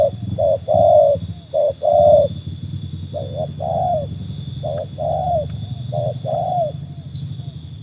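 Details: Trained tekukur, put up against wild doves, delivers loud paired coos early on that grow quieter toward the end, short notes alternating with longer falling ones, over a low rumbling background.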